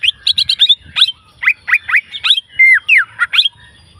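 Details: Green leafbird in the wild with a lively song: rapid twittering notes at the start, then evenly spaced sharp slurred whistles and a longer drawn whistle sliding downward near the end.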